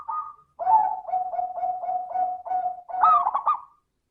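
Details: Zebra dove song used as a lure to make other doves sing: a short opening note, then a steady series of about seven low rolling coos at even pitch, closing with a higher warbled phrase; clean recording with no other sounds.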